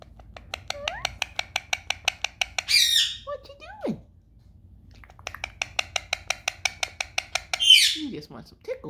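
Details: A female Indian ringneck parakeet, Kiwi, makes fast, steady ticking chatter broken by two harsh, shrill squawks while her owner softly coaxes her to talk; she is known to say "weeee".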